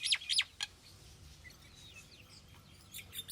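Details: Common myna calls: two loud, sharp descending chirps open the sequence, then softer scattered notes and a final rasping chirp over a quiet background with low hum.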